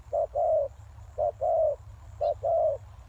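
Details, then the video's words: Spotted dove used to lure wild doves, cooing in three evenly paced phrases of a short note and a drawn-out, slightly falling note, with one faint high chirp from another bird. "Suara Tekukur Pikat"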